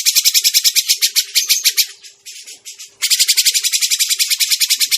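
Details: Grey-cheeked bulbul sound used as a trapping lure. A long run of fast, harsh, rattling chatter dips briefly into softer rasping, then resumes just as loud and rapid.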